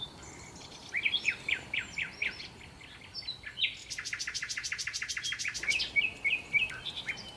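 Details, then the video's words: Sparrows arriving at a Marsa Alam hotel after breakfast to take their share of leftover food; scattered falling chirps, then a fast, evenly repeated rattling series, then more short chirps. "عصافير🐦︎ تأكل 🔊 صوت الطبيعة روعة|| Birds eat remains of food"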